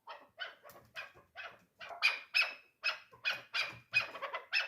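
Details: Three-year-old hunting chukar partridge with a rhythmic string of raspy chuck notes, spaced about a third of a second apart and growing louder toward the end.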